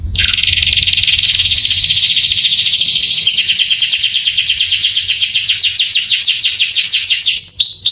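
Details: Young-canary training song: a steady buzzy trill that shifts into a rapid series of repeated falling chirps, ending in a few slower whistled sweeps.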